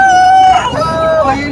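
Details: Aseel rooster crowing at a well-known Aseel rooster market where birds are sold; a loud, long held note that breaks into a falling, wavering tail, with faint background voices.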